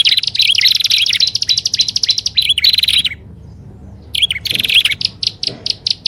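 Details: Lure calls of prinias, grassland prinia together with upper and lower prinia: a long, dense, buzzy chatter of high notes with looping whistles, a second of silence, then more chirp bursts.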